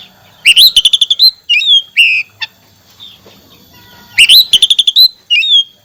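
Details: Oriental magpie-robin in full song for a therapy meant to restart a bird that has gone quiet: two strong bursts of rapid repeated clipped notes, each followed by rich slurred whistles, with a short sharp note between them.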